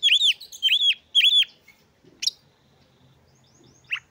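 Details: Oriental magpie-robin singing to provoke rivals: three loud arched, ringing whistled notes about half a second apart, then scattered sharp chips after a pause.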